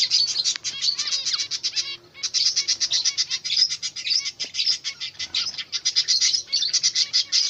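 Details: Newly hatched Zebra finch chicks give a dense, rapid stream of high, thin chirps with only a brief pause.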